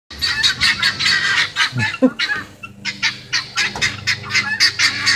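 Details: Guineafowl in a front yard yelling at a dog: a loud, harsh, rasping chatter of rapid clipped notes, repeated in irregular bursts about every quarter second, with several birds calling together.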